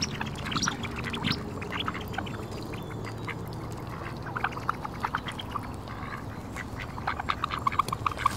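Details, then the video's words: Ducks by a park lake, a mix of Mandarin ducks, Pekin ducks and mallards, quacking while being fed; scattered short nasal calls from several birds over a steady low rumble of background noise. "Ducks Quacking - Mandarin Duck - Mallards - Pekin Ducks"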